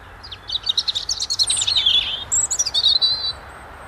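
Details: Robin singing in February: a thin, high, rapid warbling phrase of varied twittering notes and trills, some sliding downward, ending in a clear sustained high whistle, over faint low background rumble.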